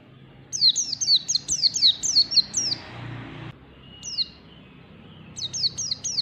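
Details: Morning song of a wild white-eye: a burst of quick, high, downslurred whistles, a lull with a faint steady tone and one lone note, then the rapid series starts again.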